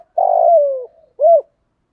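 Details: Morning coo of a spotted dove in the 'thổ pha' style, calling to wild doves: one long buzzy note gliding down in pitch, a brief pause, then a short arched closing note. No other sounds.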